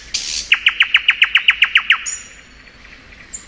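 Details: Spring song of a thrush nightingale: a harsh noisy burst followed by about ten loud, evenly spaced chopping notes in quick succession, then a thin high whistle.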